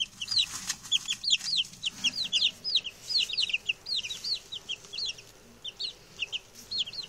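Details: Six young male chicks, just arrived and settling in well, keep up rapid high-pitched peeping, each note a quick downward slur, repeated almost continuously, roughly one call a second or faster.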